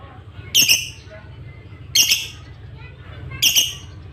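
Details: Lovebird chirping; three sharp, high, buzzy chirps about every one and a half seconds over a low steady hum.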